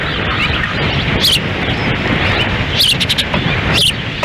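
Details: Windy-day feeding at an osprey nest in Lolo, Montana, June 10, 2017, female feeding chicks, male nearby; three brief shrill whistled chirps spaced over a few seconds against heavy wind noise.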